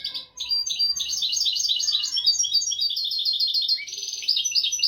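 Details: European goldfinch delivering a continuous royal tutor song used to train goldfinches and canaries; loud, rapid, tinkling twitter of repeated high trills with a buzzier, lower passage near the end.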